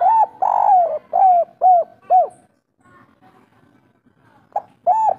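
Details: Spotted dove singing the local three-note kuk 3 style, natural sound: a long drawn coo, then several shorter arching coos about twice a second, a brief lull with faint murmuring, and two more coos.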